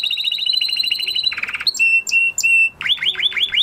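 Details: Post-moult male canary song: a rapid descending trill, a buzzy rattle, three drawn-out clear whistles, then quick upward-sweeping notes.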